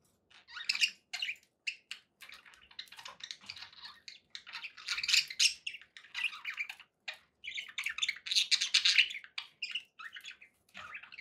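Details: Pet budgies keep up a long, busy warble of twittering chirps, clicks and squeaky notes, barely pausing, with faint background noise.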